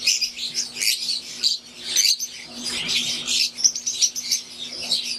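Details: Aviary of wild-type green and Euwing Fischer's lovebirds: loud, unbroken chorus of shrill twittering and squeaky chirps from numerous caged birds, rising and falling without pause, over a low steady hum.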